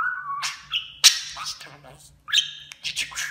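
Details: Talking budgerigar voicing imitated Turkish phrases like 'aşkım' and 'cici kuş'. A whistled rising note opens, then loud, harsh, voice-like bursts, a pause, and more clipped chattering syllables.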